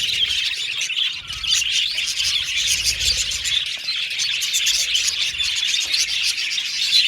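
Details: Budgerigar colony in an aviary: a dense, continuous wash of high chirps and warbling chatter from many birds, steady throughout with no clear pauses.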